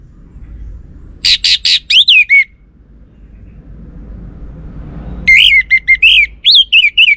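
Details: Orange-headed thrush lure song meant to provoke males into answering: a few sharp notes and a bent whistle, then after a pause a longer run of loud, rhythmic, slurred whistles rising and falling.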